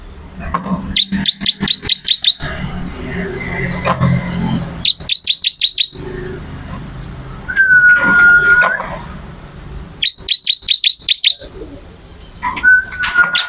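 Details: Bar-winged prinia singing: repeated bursts of fast, sharp, evenly spaced chirps, with occasional long steady whistles in between, over low background hum and faint vehicle noise.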